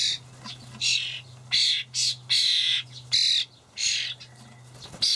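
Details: Young starlings fed dried buffalo worms by their parents in a Hamburg allotment garden, 28 May 2012; rapid series of loud, grating, hissy begging calls, each under a second, with brief gaps and a faint background hum.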